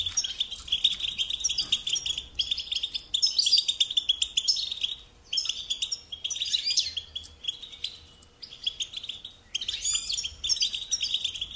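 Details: Kept European goldfinch delivering bursts of bright jangling twitter about two seconds long, separated by short silences, with buzzy trills and rising chips.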